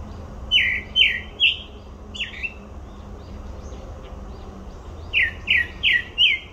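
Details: Grey-backed thrush at Olympic Park: four loud, slurred whistles falling in pitch, about 0.4 seconds apart, then faint high notes and a pause. A second run of four matching whistles follows. Low steady background hum.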